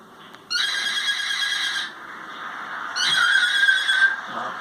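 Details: A pet cockatiel making a funny noise gives two harsh, rasping screeches, each lasting over a second and rich in overtones, separated by a short pause, with a quieter rasp at the end.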